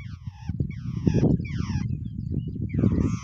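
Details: At the nest, a pair of wild babblers utter loud, grating, descending notes with strong overtones, a few in quick succession, against a low rumbling background.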